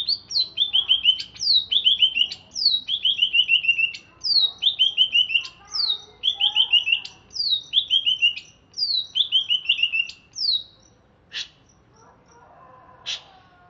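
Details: Greater green leafbird caught in Alas Purwo, Banyuwangi, chattering after being bathed: a long series of whistled phrases, each a high note dropping into a rapid falling chirp run, repeated about every second, ending with scattered clicks.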